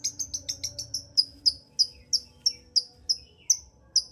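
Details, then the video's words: Long-tailed shrike lure song for provoking a lazy singer: a quick string of high thin notes that slows into evenly spaced sharp whistled chips. "Pancingan Cendet Gacor Untuk Menaikkan Emosi Cendet Malas Bunyi"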